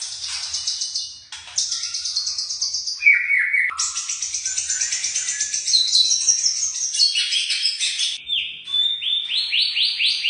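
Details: Young white-rumped shama singing a varied, high-pitched song of rapid trills, buzzy runs and repeated rising whistled notes, very full and continuous.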